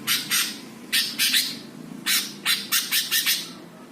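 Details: Greater green leafbird, tagged Jepara, singing a song meant to stir up other birds: loud harsh buzzy notes in short groups, ending with a fast run of five rasping strokes.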